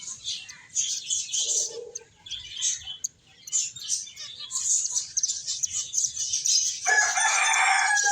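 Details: Finches playing and eating chirp in a bright, busy chorus of high tweets, broken by a short quiet gap; a broad hissing rush takes over near the end.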